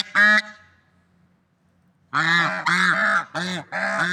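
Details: One loud, nasal swan honk in nature, then about two seconds of quiet, followed by four more honks in quick succession.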